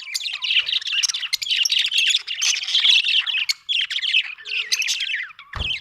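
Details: Budgie chirping almost continuously, a dense warbling chatter of buzzy notes and quick high squeaks, with a short low knock near the end.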